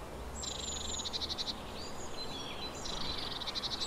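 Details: Eurasian blue tit with two bursts of quick pulsed high notes, each opening with a thin whistle and ending in evenly spaced clicks, separated by soft twittering, over a low rumble.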